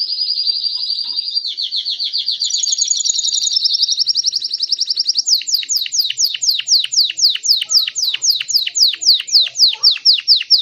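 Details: Timbrado Belgian canary singing loudly in a continuous song: a steady buzzy trill, then a faster rolling run of repeated notes, ending with a long series of loud descending sweeps repeated about four per second.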